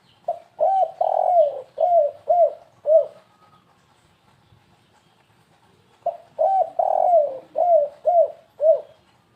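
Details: Spotted dove used as a bird lure, 'kuk3 gagap' style: two phrases of hollow coos, each with one long wavering note among five or six short falling ones, separated by a three-second silence.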